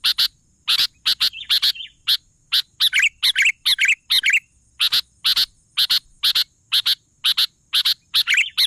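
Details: Sooty-headed bulbul chattering and singing: rhythmic paired chips roughly every half second, with bubbly wavering phrases woven in during the first half and at the end.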